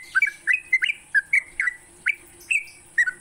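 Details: Sooty-headed bulbul morning song used as a lure for training kept birds: spaced, bright rising and falling whistles, roughly three per second, over a steady high hiss and low hum.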